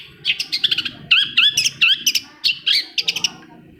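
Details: Long-tailed shrike song for prompting reluctant shrikes to sing: rapid scratchy chatter with warbled, wavering whistles in tight clusters, loud and busy throughout, with faint low noise underneath.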